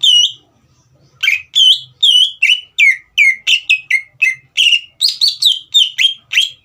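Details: Green leafbird in full song, played to provoke a young speckled bird into singing: one whistled note, a pause, then a rapid run of loud, clear whistles sliding downward, each dropping from high to mid pitch, about two per second.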